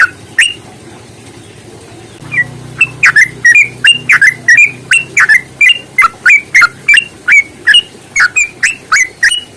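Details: Yellow-vented bulbul in a long rapid-trill fighting song used to provoke singing. Bubbly, liquid whistled notes tumble in a long, steady run of about three per second, with a faint low hum beneath.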